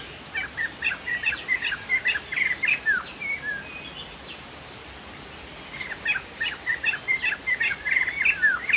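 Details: Chinese hwamei, described as a Sumatran poksay jambul in lively gacor song: two bursts of quick, repeated whistled and downslurred notes with a pause between, over a steady high hiss and faint insect buzz.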